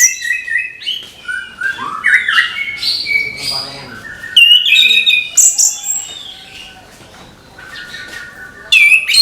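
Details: Orange-headed thrush giving a busy morning gemercik song, a continuous mix of whistled slurs, harsh chatters and high squeaky notes, loud and varied throughout.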